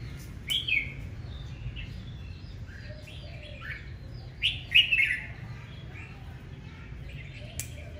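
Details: Aggressive morning singing by a red-whiskered bulbul, scattered chirps building to a loud, rich warbled burst near the middle, then fading to sparse softer notes with a sharp click or two.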